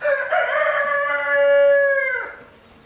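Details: Rooster near a mother hen and chicks that it is harassing. A single loud crow of just over two seconds, bright and strongly harmonic, stays steady and then falls away at the end. The background is quiet.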